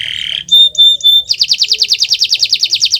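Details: Kenari Nusantara canary on a master track for prompting silent canaries: a nasal buzzy note and three pure, level whistles, then a fast, even series of about twenty repeated rising notes.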